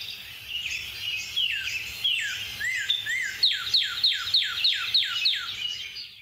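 Northern Cardinal song: a few slurred whistles, then a fast run of about ten clear downslurred 'cheer' notes, four per second, with faint chirps of other birds behind.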